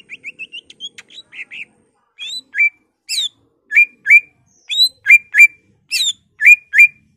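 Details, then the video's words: Greater green leafbird singing with emotion, mixing in copied phrases from magpie-robin, laughingthrush, cililin, white-eye and canary; a quick chirping run, then loud varied phrases of high sweeping and slurred whistles, about three notes a second. "BURUNG CUCAK IJO GACOR EMOSI NGENTROK BONGKAR ISIAN , Murai, Poksay, Cililin, Kapas tembak, Kenari"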